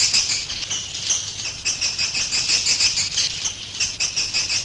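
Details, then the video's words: Roosting call of swiftlets, played to draw birds into a three-storey roost building: continuous high, shrill, buzzy chattering with rapid pulsing twitters and a faint low hum beneath. "Suara Inap Walet 3 Lantai"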